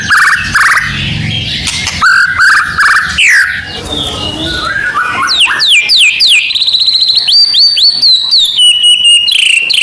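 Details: Medan white-rumped shama in full lure song: varied whistled phrases and harsher notes at first, then rapid sweeping trills and a sustained run of quick repeated notes that slowly descends.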